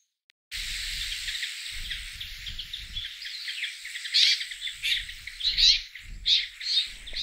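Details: Brambling flock, winter visitors that roam lowland-to-mountain forests, forest parks and farmland in search of food, giving a dense, continuous chatter of high, overlapping chirps, with louder bursts near the end over a low background rumble.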